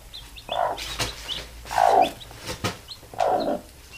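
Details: Mother hen calling her baby chicks to sleep; three low, soft, drawn-out clucks about a second apart, with faint high chick peeps and clicks between them.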